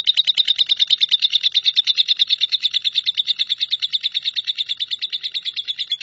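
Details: Continuous "nyambung kuntilanak" song of a lovebird, recorded as shrike tutoring material: a very even, rapid rattle of scratchy high notes, loud throughout and steady in pace.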